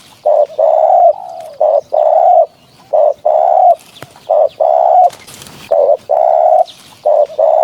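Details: Spotted dove, recorded as a lure for hunting, coos in a steady series: short note then a longer sustained coo, about one phrase per second and a half, with a short burst of noise mid-way.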